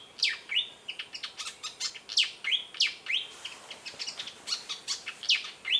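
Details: Malaysian pied fantail perched and singing at Lung Sin waterhole, Kaeng Krachan National Park, Thailand: rapid high squeaky chirps mixed with short downslurred whistled notes, an elaborate jumbled phrase run continuously.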